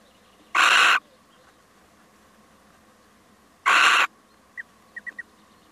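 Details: A visiting male little owl gives two loud, rasping screech calls about three seconds apart, each lasting under half a second. A few faint, short high chirps follow near the end against a low, steady background hum.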